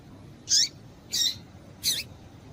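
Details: Calling female double-collared seedeater, a sound breeders play to stir up males for song contests; three sharp, high chirps roughly every 0.7 seconds, each with a brief downward sweep, above faint hiss.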